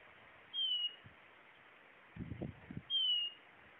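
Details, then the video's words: Blue-naped chlorophonia song: two clear, thin whistles, each sliding gently downward, about two and a half seconds apart, with a few low knocking thumps between them. "Canto!! Guaturamo-Bandeira"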